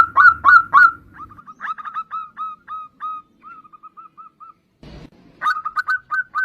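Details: Local zebra dove, actively singing: loud opening coos, then softer, quicker notes trailing off. A brief noise burst follows before strong coos return at the end.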